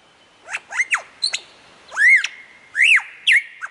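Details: Lyrebird imitating other sounds, with quick arched whistles that rise and fall, mixed with short sharp upward notes and a thin held tone underneath, coming irregularly about once a second.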